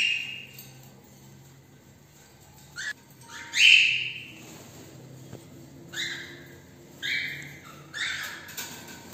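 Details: Cockatiels (Nymphicus hollandicus) just back from a morning walk give loud, harsh, rising screeches and chirps in bursts, roughly one every one to two seconds, with a faint low hum beneath.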